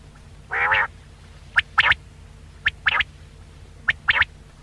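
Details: Quail voice played to attract quail for hunting. A short raspy chord opens, then three phrases follow, each a sharp single note and a quick pair of ringing whistled notes, spaced about a second apart, with a low background hum throughout.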